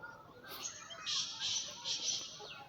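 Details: Young Sindhi male Black Francolin (patha) of Gangas stock, kept for sale and fearless of people, recorded the same day; two harsh, buzzy high-pitched bursts of calling over a quiet background.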